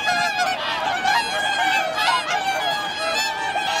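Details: Swans wintering on Lake Hyoko, Niigata Prefecture, Japan, 8 January 2022, 2628 birds present. A steady wall of many bugling, harmonic-rich honks from the crowded flock, with no gaps.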